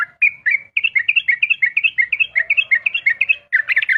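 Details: At dawn a sooty-headed bulbul sings a fast run of chirpy, liquid double notes in quick succession, with a brief pause before a busier, denser burst at the end. A faint second voice murmurs quietly lower down.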